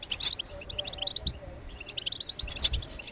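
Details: European goldfinch chirps, played to stimulate other birds to sing: short high notes in a loose run, with a brighter doubled phrase near the start and again after about two and a half seconds.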